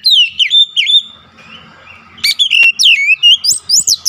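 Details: Oriental magpie-robin singing persistently, varied whistled phrases with rising and falling slurs, a short pause, then a fast run of bright notes climbing higher, with a sharp click.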